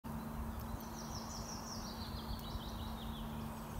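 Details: A Willow Warbler, just arrived from Africa, sings in snow in Dalarna, Sweden, on 28 April 2020: a soft, high phrase of sweet notes cascading gently downward, over strong low rumbling background noise and a steady hum.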